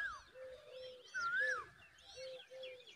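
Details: Common babbler mother offering her chick a giant worm; drawn-out even notes alternating with a loud rising-then-falling whistled call and thin high chirps above, in a quiet setting.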